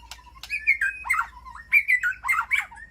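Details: Aviary-kept white-rumped shama communicating with its flock, giving a varied run of sliding whistles mixed with harsher, buzzy notes and brief clicks, rising and falling in pitch.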